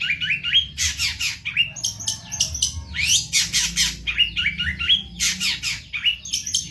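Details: Cendet, or long-tailed shrike, in Indonesia, singing hard for a tutor recording. Dense clusters of sharp high chatter and short upslurred whistles repeat in quick bursts about every half second, over a faint low hum.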